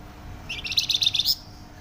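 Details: Flamboyan bird in full, loud and dense song: a single rapid, buzzy trill of high chattering notes lasting under a second, ending on a sharp upward note, over a faint low hum.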